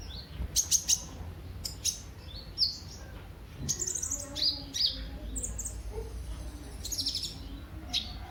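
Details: Lure recording of a kolibri ninja sunbird in energetic song: high piercing chirps and clipped downslurred notes in uneven clusters, over a low rumbling background.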